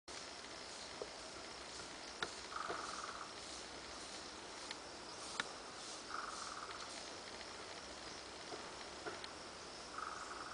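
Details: Female Surucua trogon (Trogon surrucura) at Corupá, Santa Catarina, Brazil, calling in short, low, rapid bursts of notes about every three to four seconds, over a steady hiss of insects and scattered clicks.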